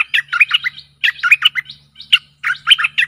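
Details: Decoy song of a stripe-throated bulbul meant to lure fierce wild birds, a fast run of gurgling, warbled notes in tight clusters with brief gaps, a faint low hum underneath.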